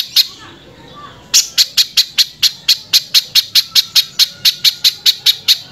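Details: Harsh-voiced Velvet-fronted nuthatch song meant for tutoring other birds: after a brief quiet start, a fast run of clipped, scratchy high notes repeated evenly at roughly four per second.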